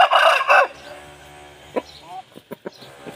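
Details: An Aseel rooster singing for a hen gives a loud, harsh crow lasting under a second. A few short, soft clucks follow.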